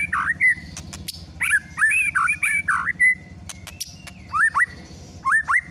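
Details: White-rumped shama lure song meant to provoke a caged bird into singing its full repertoire: loud whistled phrases swooping and looping, with clicking sounds between bursts over a low steady hum.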